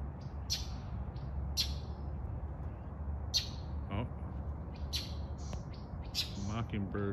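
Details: Northern Mockingbird in the morning near roosting peafowl and peachicks, possibly annoyed at their presence, giving harsh, scratchy chack notes at uneven one- to two-second intervals over a low rumble with a person talking.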